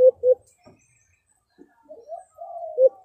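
A brown dove gives low, hollow coos: two quick notes, a pause, then longer drawn-out coos, with faint soft rustles between.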